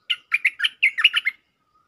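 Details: Bulbul heard as a lure call, singing one lively, bubbling phrase of about nine chirpy, warbled notes in quick succession over little more than a second, then quiet.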